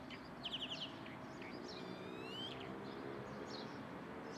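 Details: Perched at the top of a pine, a lark delivers a short burst of rapid trilled notes followed by a long, smoothly rising whistle, with a steady low background rumble.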